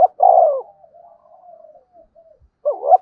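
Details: Spotted dove singing a calling song: a strong drawn-out coo trailing into a soft wavering note, then a fresh double coo begins; otherwise quiet surroundings.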